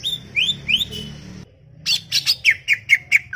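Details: Chattering greater green leafbird: rising whistled slurs, a brief break, then quick harsh high notes followed by clear repeated whistles about every quarter second.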